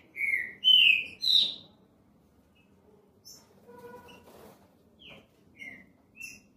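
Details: Green-winged saltator in a classic song style, giving loud, clear whistled notes that slur downward, three strong phrases in the first two seconds, then softer scattered notes and short whistles.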